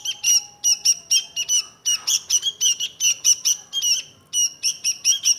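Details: Sooty-headed bulbul delivering fast clipped chirps in tight clusters, sharp and metallic, with a brief noisy rustle midway and a faint low hum beneath.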